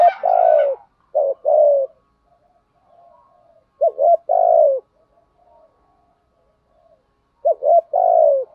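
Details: Decoy spotted dove giving thúc gù coos in the giọng thổ style, used to excite wild males. Three low hooting phrases, each a short note or two and then a longer falling coo, come about every three seconds against a quiet background.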